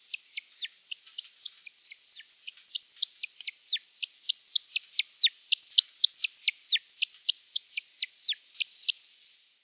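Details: American woodcock in spring display flight gives a fast run of sharp, liquid chirps, about four each second, dipping and warbling on a high pitch. The display happens over large forest clearings or grassland beside scrubby woods, from around early March.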